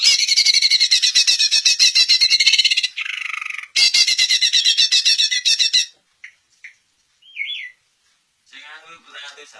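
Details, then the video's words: {'caption': 'Song of a greater green leafbird, meant to get other leafbirds answering: long runs of fast, scratchy, repeated notes with a brief pause, then sparse short whistles and a twisting whistled note.'} "Cucak Ijo Anda PASTI AKAN NYAUT dengar Suara KICAUAN MERDU TERBAIKNYA INI"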